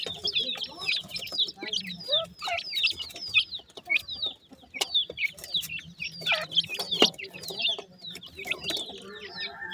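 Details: Grey francolin chicks newly out of the egg, calling the mother: a steady stream of high, falling peeps from several chicks. Brief lower notes and sharp knocks are heard in between.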